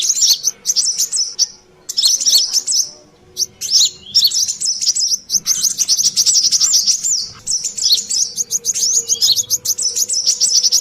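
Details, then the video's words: Noisy lure call of a brown-throated sunbird (kolibri klapa, sogon): clusters of rapid, piercing chirps and tinkling trills in long runs, separated by a few brief silent breaks. "suara pikat burung Kolibri Klapa/sogon ontong ributt"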